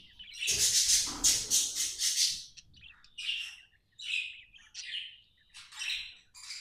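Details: Happy pet budgerigar chirping: a dense burst of bright, scratchy high chirps in the first two seconds, then shorter separate chirpy phrases with brief pauses between them.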